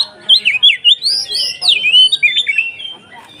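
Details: Kacer (Oriental magpie-robin) in konslet ngeplong style, played to provoke other kacer into more emotional singing: a rapid run of loud, sweeping whistled notes rising and falling, varied and continuous for about three seconds.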